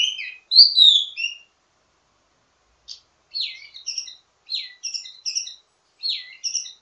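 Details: Wambi mini giving its teasing ledekan song with many variations, used to train birds of the same kind: loud slurred whistles, a pause, then repeated clusters of downslurred chips and high notes.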